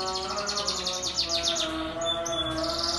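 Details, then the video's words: Singing pet canary, used to lure other canaries into song: quick high descending notes forming a rattling trill, then a brief thin whistled note before the trill resumes, over a low background hum. "KENARI GACOR gaya menarik, Pancingan burung kenari cepat bunyi"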